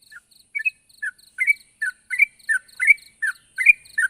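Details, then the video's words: Yellow-vented bulbul calling out to a rival, giving bright, slurred two-part chirps spaced roughly every half second, each note bending up or down, over a thin, constant high-pitched hum. "suara burung trucuk gacor memanggil lawan"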